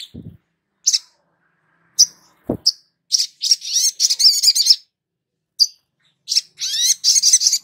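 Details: Long-billed spiderhunter song, meant to prompt a young bird to start singing. Isolated shrill chips give way to fast runs of high, sharp twittering notes in rattling bursts. A couple of low thuds are heard early on.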